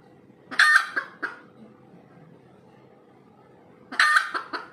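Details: Red junglefowl cackling after laying an egg: a loud harsh squawk with two trailing clucks, a pause of almost three seconds, then another loud squawk and clucks.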